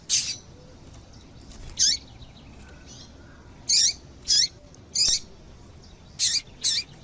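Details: Female double-collared seedeater call, meant to make a male sing: brief, very high, downward-sweeping chirps, often doubled, scattered irregularly through the clip with faint background hiss.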